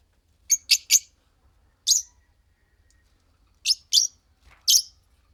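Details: Green Fischer's lovebird pair chirping: short, shrill, buzzy notes in a quick cluster of three, then single and paired bursts spaced about a second apart, with quiet gaps between.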